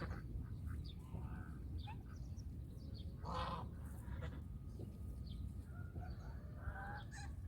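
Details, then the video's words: Domestic geese giving a scattering of short nasal honks, some in quick pairs, several birds overlapping at moderate distance above a steady low rumble of background noise. "The sounds of Country goose call is relaxing."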